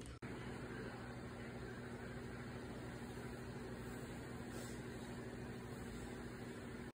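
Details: A steady low rumble and hum, like a running vehicle or appliance, fills the whole stretch with no animal voice heard.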